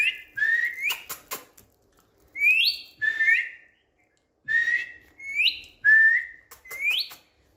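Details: Pet Indian green ringneck parrot on a bed giving a run of loud whistles, each a short falling note followed by an upswept rising note, in clusters separated by brief pauses, with sharp clicks between phrases.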